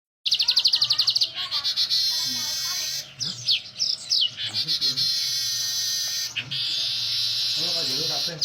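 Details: Weaver singing energetically: a quick run of rapid ticking notes, then long, harsh, hissing buzzes broken by short chattering sputters, with faint human voices in the background.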